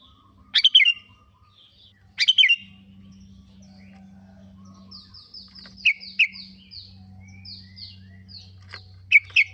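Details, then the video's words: Sooty-headed bulbul (kutilang) lure for stirring birds to sing: two bubbly fluty phrases, then a long string of high, thin, descending chirps mixed with short bright notes, over a steady low hum. "Pancingan burung kutilang√Bikin bunyi"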